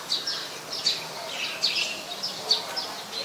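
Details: Cinnyris jugularis, the Olive-backed or Yellow-bellied Sunbird, at a house on a late afternoon in March 2021: quick high-pitched chip notes, several per second in loose bursts, against steady low background noise.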